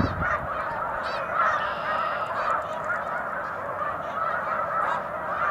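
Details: Large snow goose flock on Cayuga Lake, spring afternoon, overlapping nasal honks pouring out without a break, a few closer birds louder than the rest.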